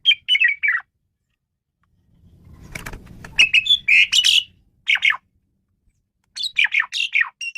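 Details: Male Asian pied starling singing, a recording meant to lure and train other birds: bursts of squeaky, varied whistled and chattering notes in short clusters separated by pauses, with a low rumbling noise in the middle.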